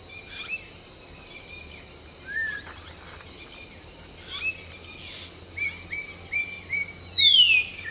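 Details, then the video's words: A common hill myna gives scattered clear whistles, short level notes and one loud whistle sliding downward near the end, over a steady high insect-like hum. "Hill Myna Serenade: Preening, Singing, and Morning Symphony"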